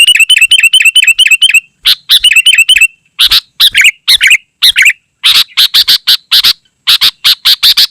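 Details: Sooty-headed bulbul (kutilang) singing vigorously in a very dense sequence: a fast run of repeated bright chirps, then harsh broadband bursts mixed with short warbled, rising-falling phrases, almost without pauses.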